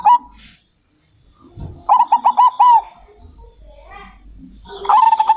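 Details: Local zebra dove, perkutut, calling in captivity: a bright note near one kilohertz, then a quick stuttered run of five rolling coos, another phrase beginning at the end; a faint high steady tone runs behind.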